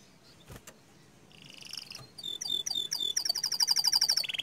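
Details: Panda-colored canary building from quiet into song: soft notes rise to rapid, bright repeated trill notes and a buzzy final flourish, with a couple of faint knocks early on.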